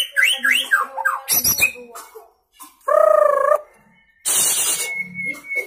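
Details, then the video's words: Young white-rumped shama, freshly moulted from juvenile plumage, singing in one spot: quick whistled phrases, a buzzy harsh burst, a sustained wavering harmonic tone, then a loud hissing noise. "Murai Gacor Muda Lepas Troto Muntah Isian Main Satu Tirik"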